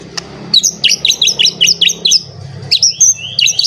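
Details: Bouts of quick, high chirping notes repeated about five times a second come from a white-rumped shama emotionally seeking a rival, followed by thin rising whistles over a low background hum.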